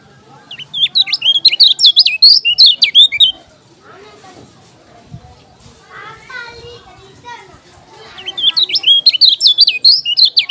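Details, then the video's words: Lombok yellow-crowned bulbul, likely caged, gives two fast bursts of loud, high, twisting whistled notes at the start and end, separated by quieter chatter from other birds. "KECIAL KUNING TAK PUNYA NAMA, JOSS NGAMUK‼️"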